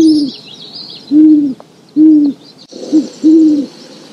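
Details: Great horned owl (Bubo virginianus) in the wild, hooting: about five deep, soft hoots in a halting rhythm, the last two close together, with faint high background hiss.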